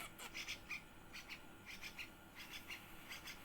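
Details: One-week-old yellow-vented bulbul chick being fed, giving rapid squeaky begging notes in quick bursts, several per second, with a steady faint hum behind.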